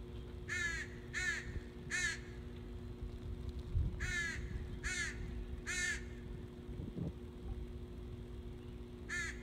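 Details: Noisy crows recorded in Northern Michigan, 14 July 2017, calling harsh rasping caws in short bursts, seven in all with a gap mid-way, over constant low humming background noise.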